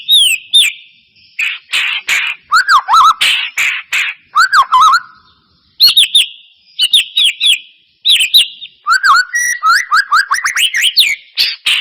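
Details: White-rumped shama singing after a lure meant to spur a reluctant bird to sing; energetic bursts of looping whistles, rapid chattering trills and harsh buzzy notes repeated in quick phrases.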